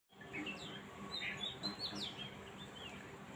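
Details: Small birds chirping: short bright notes and quick downward-sweeping chirps scattered over three seconds, with a steady low hum in the background.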